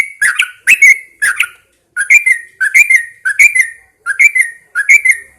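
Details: Caged Yellow-vented Bulbul set outdoors at dawn to prompt singing, giving bubbly, gurgling two- and three-note phrases that slide between lower and higher pitches. The phrases come in quick bursts separated by short pauses.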